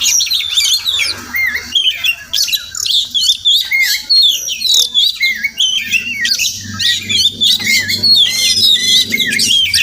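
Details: Wild Oriental magpie-robin (Murai Kampung) that visits a home garden every morning, possibly nesting nearby; rapid run of varied high whistled and chirping notes, many short phrases in quick succession, with a faint low hum beneath.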